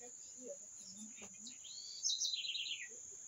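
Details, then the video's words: A single bird phrase: rising whistled slur that breaks into a quick, descending trill of sharp notes; faint low murmurs earlier and a steady high whine throughout. "Canto dos pássaros"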